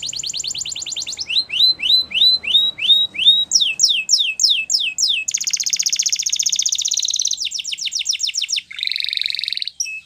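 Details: Russian canary training song in flute style: a fast rattling trill, then a series of rising whistled slurs, downward sweeps, a long buzzy roll and a final dense trill, all high-pitched and continuous.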